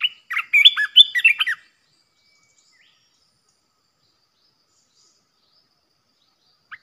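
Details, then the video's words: Decoy song of a fierce red-whiskered bulbul, used to provoke rival bulbuls: a quick, chattering phrase of liquid warbled whistles at the start, then long silence broken by one faint note. "เสียงนกกรงตาแดงEp.16 Birds sounds เสียงต่อนกกรงตาแดงตัวดุๆ"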